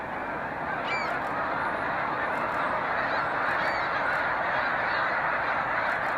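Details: Snow Geese departing their overnight water roost at sunrise, 26 April, Canada, heading to fields to feed; a thick, ceaseless chorus of honks, with a few thin, higher calls standing out.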